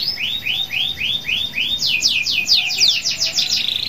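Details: Local canary singing to encourage other canaries: a series of six evenly spaced arching whistled notes, then a louder, faster run of sharp descending sweeps.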